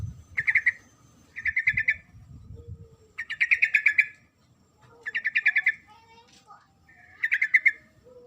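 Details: Calling female sooty-headed bulbul summoning the male, giving five chattering bursts of rapid notes, roughly one every one to two seconds, with faint low rumble and a soft lower whistle between bursts.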